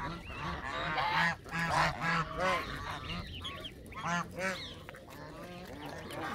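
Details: Many Canada geese honking together in rapid, overlapping nasal calls, a busy chorus that swells and eases over six seconds.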